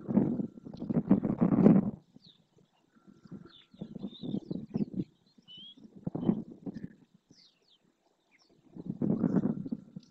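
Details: In the flooded marsh lagoon of Doñana National Park, Spain, a large, agitated flamingo flock gives dense, low, goose-like honking in four loud surges a few seconds apart. Faint high chirps from smaller birds come through between bursts.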